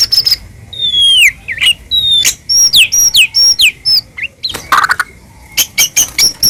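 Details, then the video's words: Medan-type white-rumped shama in continuous fill-in song to draw other shamas into singing: high thin whistles sliding steeply downward, one after another, sharp clicks between, ending in a high twittering run. "murai batu gacor AMPUH buat PANCINGAN murai batu agar bunyi jadikan burung murai gacor NYAUT"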